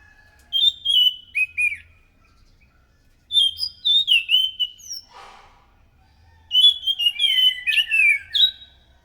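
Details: Loud anis macan thrush song, a lure for other thrushes: three bursts of rich warbled whistles, each a quick string of rising and falling notes separated by short silences, the last burst the most complex.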